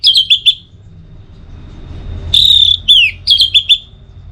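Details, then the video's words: Orange-headed thrush song meant to train and stimulate kept birds toward 'teler' singing: short groups of clear whistled notes, then a longer sustained sharp phrase and falling slurs, with a gap of quiet and soft low hum between. "Masteran sekaligus Pancingan Burung ANIS MERAH Agar Selalu Bisa Menikmati Telernya setiap saat"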